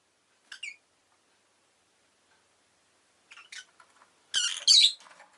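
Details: Rosy-faced lovebird chirping: a faint double note early, soft chatter, then a loud pair of harsh, high squawky chirps near the end, with light clicking noises between.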